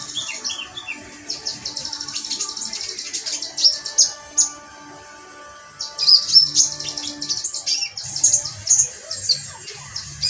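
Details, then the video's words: High, thin twittering song of a metallic pygmy sunbird, delivered in dense, fast bursts of sharp chirps with a quieter gap midway and faint lower tones beneath. "konin ombyokan metalik"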